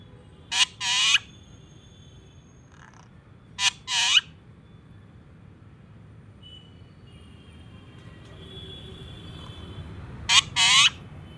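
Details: Pet Alexandrine parakeet talking: three loud, harsh two-part utterances, a short clipped note followed by a longer raspy one, spaced about three and six seconds apart, over a quiet steady background hum with a faint thin tone.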